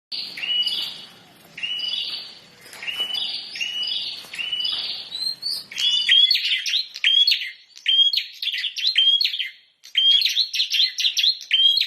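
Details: Bar-winged prinia singing persistently: rapid runs of bright, high chirping notes, each with a sharp rising start, repeated in quick bursts roughly twice per second, shifting partway through to a more ringing, tightly packed phrase.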